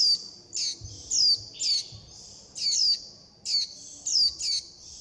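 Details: Juvenile warbling white-eyes call for mother and flock while begging. Thin, squeaky descending notes, often paired in quick succession, ring over a persistent high tone, with faint low knocks in the background.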